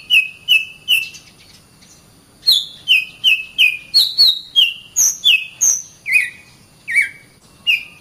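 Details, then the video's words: Oriental magpie-robin song kept for training other songbirds: clear whistled notes, mostly level or gently falling, delivered in quick runs of two to four with short pauses between, plus a few higher sharp upslurred notes. "Burung Kacer"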